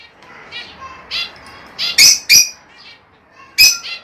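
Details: Rosella vocalizations played to prompt breeding: nasal harmonic chirps mixed with three very loud, harsh screeches, irregular and rapid, in a quiet setting.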